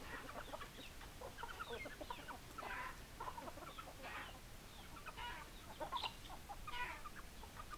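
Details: Hens clucking: several overlapping short, rough clucks repeated irregularly throughout, some louder bursts standing out over a constant hiss of background noise.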